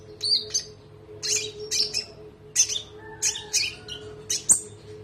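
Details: Konin (olive-backed sunbird) singing on a training recording for other birds. It gives spaced bursts of high squeaky chirps and twitters, plus a thin lower whistle near the end, over a steady background hum.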